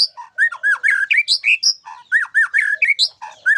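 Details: White-rumped shama (murai batu) song with isian fill-ins: loud arched whistles and harsh, squawky notes alternate rapidly with high chips, in an energetic, varied stream.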